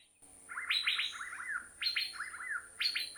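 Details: Asian fairy-bluebird, Thailand, recorded with a handheld recorder: three repeated phrases, each a high sharp note dropping into a tumbling run of slurred, bubbly whistles, spaced about a second apart.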